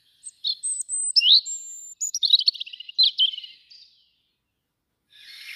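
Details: Juvenile European robin at a bird webcam on 2 August: a varied, scratchy warble of thin high whistles, a drawn-out pure note and buzzy rapid trills, ending with soft rustling noise.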